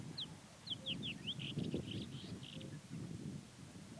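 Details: Black tern, a rare passage migrant, filmed in Mongolia: a quick series of short, sharp, downslurred high notes, then several clipped harsher notes, over a low rumbling background.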